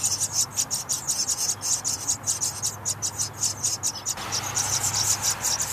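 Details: Loud begging of young house wrens while parents bring food and clean the nest; shrill, scratchy pulses repeated rapidly and fairly evenly throughout, with a steady low hum underneath.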